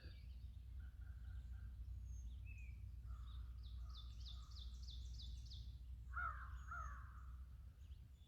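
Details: American crow giving two harsh, hoarse caws near the end, on an early morning walk at Landis Arboretum, over a steady low rumble, with faint chips and a quick high trill from other birds.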